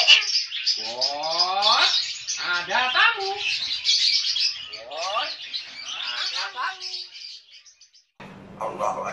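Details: Cockatoo speaking in a raspy, human-like voice: several drawn-out syllables with descending harmonic slides, grouped into phrases with short gaps, ending with an abrupt cut to a different background hum.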